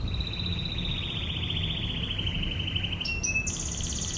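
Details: Canary in ngebren shooting-style tutor song: a long even trill slides slowly downward for three seconds, then jumps to brief high notes and a new rapid high roll. Light background rumble is audible.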